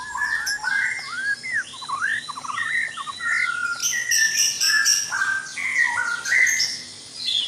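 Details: White-rumped shama song at dawn in a breeding cage: a loud, varied run of rich whistled phrases, slurred rising and falling notes and quick trills, with several birds overlapping in a noisy chorus.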